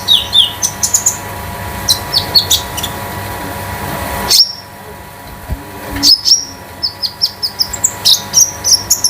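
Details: Konin, the olive-backed sunbird, a 'damer metalik' master bird kept at home; bursts of high, sharp chirps broken by a short quiet pause, then rapid tinny notes resume.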